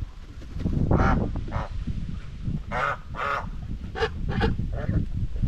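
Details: White Chinese geese, domestic flock on a homestead farm, grazing and bathing with social talk among each other; short harmonic honks scattered through the clip, several spaced about half a second apart, over steady low rumbling background noise.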